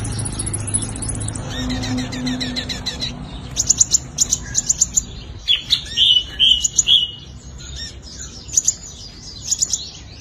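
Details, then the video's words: {'caption': 'Fighting song of a sunbird used as a lure: a jumble of quick high chips and short rising notes in clustered bursts, opening with a thin high whine.'} "Tiếng chim hút mật 5 màu dùng đi mồi đánh bổi - Tiếng chim hút mật 5 màu hót đấu"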